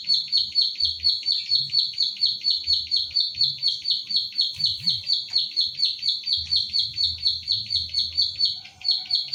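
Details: Central Java pied bushchat, the recordist's own bird, taped on an Infinix Hot 9 Play as training material: a long, unbroken series of piercing clipped notes at about two per second, a brief soft whistle near the end.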